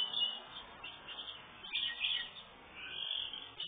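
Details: House finch with a red head feeding babies: a near-continuous run of high, thin chirping and twittering notes that swells and fades several times, over faint background hiss.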